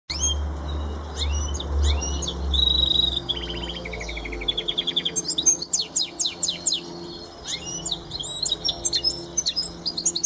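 A goldfinch mule sings a lively, twittering song of sharp chirps, rolling trills and quick buzzy notes.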